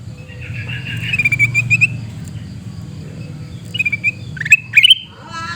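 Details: Sooty-headed bulbul recorded at Reului, Pidie, Aceh, Indonesia, giving shrieking calls: a short stuttered series of high, rapid chattering notes, then a pause and two more sharp bursts ending in a rising trill, over a low rural hum.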